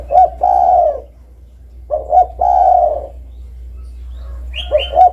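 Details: Spotted dove cooing: two short clipped notes, then a long, even, low coo. The phrase comes twice, with the start of a third. A brief higher chirp from another bird sounds near the end, over a steady low hum.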